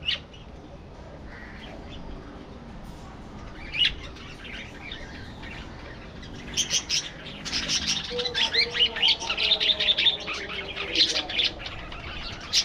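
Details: Budgerigars chatter with quick, scratchy chirps and warbles that grow busier toward the end.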